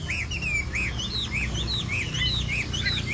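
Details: Chinese hwamei, called Hoạ Mi Bộ Tam Hoàng, sings repeated arched whistles about three times a second over a steady low hum.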